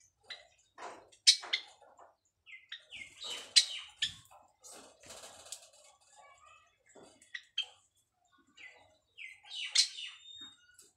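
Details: Nesting white Java sparrows in their first breeding attempt, with mating calls heard as scattered short high chirps and clicks separated by pauses, mixed with rustling and bumping sounds.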